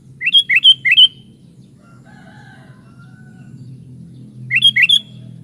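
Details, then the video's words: Sooty-headed bulbul (kutilang) in lively 'gacor' singing: a quick run of three bubbly, liquid whistled notes, a pause of about three seconds, then a similar three-note phrase, over a faint low hum. "SUARA BURUNG KUTILANG"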